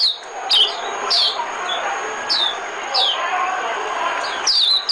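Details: White-eye decoy song used to lure birds for trapping: thin, high, downslurred chirps spaced about a second apart, some doubled, over a steady low murmur of background noise.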